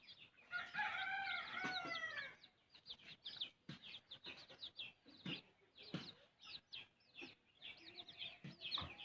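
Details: Mother hen feeding her chick opens with a loud, rich, buzzy cluck sequence, then soft pecking taps and high arched chick peeps repeat rapidly and unevenly.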